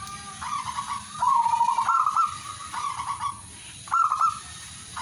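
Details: Zebra dove song, the perkutut's bubbling coo, in rapid rolling phrases of varying length separated by short gaps, against a constant hiss.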